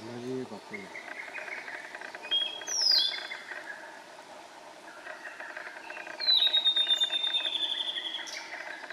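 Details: Two song phrases from a male blue-and-white flycatcher, Morito River, Kanagawa Prefecture, Japan, 18 June 2021: a short falling whistle, then a longer high whistle gliding down into a rapid trill, amid steady background chirping.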